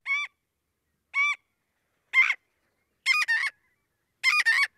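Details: Upset Marbled Godwit giving alarm calls that warn of a potential predator: five loud, raspy, scream-like notes about a second apart, the later ones doubled into a rough "god-wit", with no other sounds.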